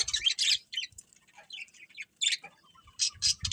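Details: Short, clear chirps in the morning come in separated bursts, some with thin rising notes, with quiet gaps between and soft low thumps at the start and end.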